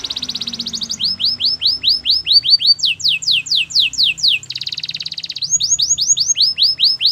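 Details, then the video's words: Belgian canary singing: a fast buzzy trill opens, then series of loud downward-sweeping whistled notes about four per second, a high rapid roll in the middle, and more repeated sweeping tours after it. "Belgian canary singing"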